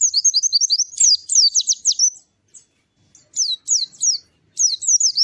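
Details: White-eye singing lively and melodious, high, thin chirped notes in quick runs: a fast burst of sharp down-slurred tweets, a short pause, then two more bright twittering phrases, with nothing else in the background.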